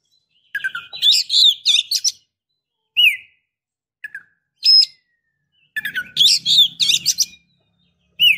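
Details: Female Oriental magpie-robin calling to a male to rouse him, spur singing or invite mating: bursts of varied high whistles, trills and sharp chirps, rising and falling, separated by short silences, with a faint low hum mid-clip.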